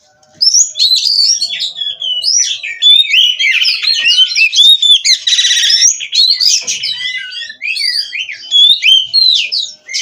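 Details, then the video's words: Bred captive kacer, or Oriental magpie-robin, in full song after a brief silence: dense, fast medley of sharp whistles, chattering trills and a harsh rasping burst midway, delivered continuously and loudly. "GACOR NONSTOP!! Rahasia Kacer Bikin Semua Kaget!"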